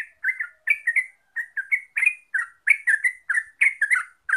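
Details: Yellow-vented bulbul (Pycnonotus goiavier) giving a rapid run of bubbly, liquid notes in short clusters, mid-pitched and repeated without pause; no other sounds.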